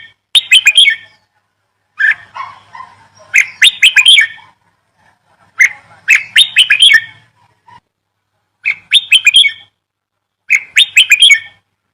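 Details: Songbird singing in bright, high chirpy bursts, each phrase a quick cluster of sharp notes and trills, repeated roughly every two to three seconds with silent gaps between, clear and close with no other sounds.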